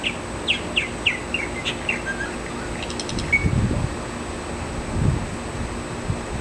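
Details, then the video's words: Male purple martin singing outside his nest on a June 2009 morning: a quick run of about six short down-slurred chirps, then a brief buzzy rattle and a clear whistled note, over low rumbling background noise. "Male Purple Martin in the morning, singing outside his nest."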